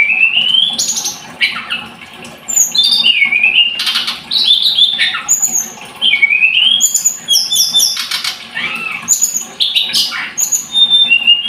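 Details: Long, lively blood-breasted flowerpecker (tledekan gunung) song. Rising whistles, falling slurs and buzzy clusters of high chips run almost without pause.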